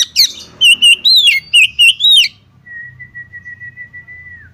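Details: Calling to the male, a female Oriental magpie-robin gives a harsh note, then a series of repeated warbling whistled phrases, then one long, even, sustained whistle that fades at the end.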